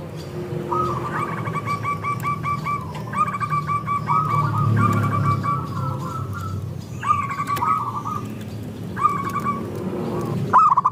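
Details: Zebra doves, perkutut, heard together as a chorus to encourage other doves to sing; several overlapping trilled cooing phrases, some higher and some lower, repeated through the stretch with background rumble.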